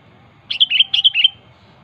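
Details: Wild sooty-headed bulbul giving a sharp song to call rivals: one brief phrase of four quick, liquid chirps, each dipping slightly in pitch, over a quiet background.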